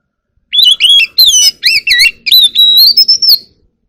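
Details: Oriental magpie-robin song, wild style, used to call the flock: a series of about eight loud phrases, wavering doubled whistles and scratchy notes, ending in a long steady whistle that rises a little.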